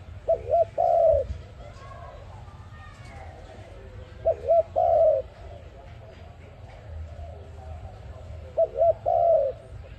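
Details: ARIMIX dove, a trapping lure. Three coo phrases roughly four seconds apart, each two short hooked notes then a longer descending coo. Faint chirping and murmuring run between them.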